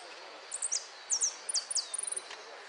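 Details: Hooded siskin competing in a singing contest at Merlo, Argentina, winners' final, 13 January 2013. Bright, very high chirps and sharply falling whistled notes come in quick pairs. They end in a short, rapid trill.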